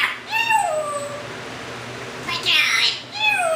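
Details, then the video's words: Captive Timneh African grey parrot, taken in from a bird rescue, indoors: clear harmonic whistled notes that slide downward, a brief burst of rougher, buzzier sound, then another falling whistle in a small quiet room. "See Our Parrot Talk And Wave!"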